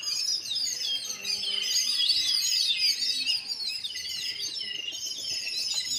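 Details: Sparrows chirping in a dense, continuous chorus of many overlapping high, quick twittering notes, with no clear pauses between callers.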